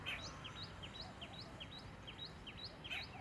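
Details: Black-rumped flameback (lesser golden-backed woodpecker), Indian subcontinent, giving its rattling call: a fast, even series of sharp, high chattering notes, about four a second, over a low background rumble.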